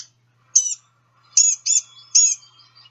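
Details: Blue-gray Gnatcatcher giving four short, nasal, persistent whining calls in quick succession, high and buzzy like a tiny catbird mew, likened to tiny people screaming.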